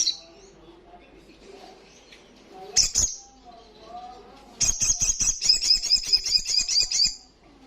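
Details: Olive-backed sunbird singing loud ngalas style. After a quiet stretch with faint low background sounds and one sharp high note, a rapid high sequence of staccato notes runs for about two and a half seconds.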